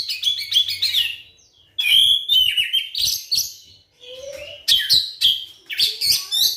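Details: Energetic oriental magpie-robin singing, played as a lure to prompt non-singing magpie-robins: dense runs of sharp whistles, trills and chatter in bursts, broken by a brief pause and one low, soft whistle.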